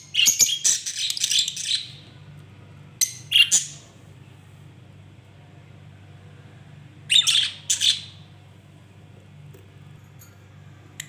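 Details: Noisy lovebirds giving bursts of harsh, high squawking chatter, about two seconds at first, then short clusters of screechy notes separated by quiet pauses of several seconds, over a constant low indoor hum.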